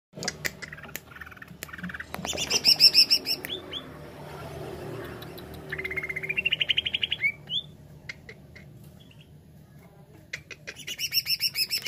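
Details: Greater green leafbird (cucak ijo) singing in the jamtrok wik wik style: a varied run of sharp high chirps, brief rising whistles and fast buzzy trills, with a long quick-pulsed trill around the middle and another rapid burst at the end.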